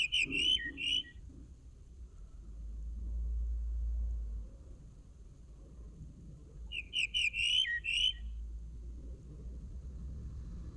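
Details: Linnet song heard as two matching phrases about six seconds apart. Each has rapid twittering notes leading into a slurred, falling whistle. A low rumble of background noise fills the pause between them.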